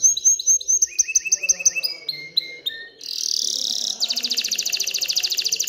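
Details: Excited canary song meant to stimulate females to mate and build a nest: a series of clear rising whistled notes, then lower repeated whistles, a harsh buzzy burst and a fast high trill.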